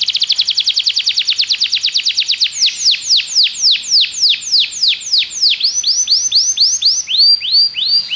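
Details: Belgian canary song used in training other canaries to sing: a rapid, clear trill that slows into spaced, falling whistled notes, then bouncy upward-hooked notes repeated about twice per second.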